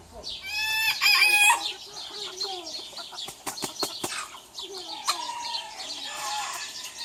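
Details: Rooster crowing: a loud, harsh harmonic crow in the first second and a half, followed by quieter clucks, wing flaps and sharp knocks, with other birds chirping faintly in the background.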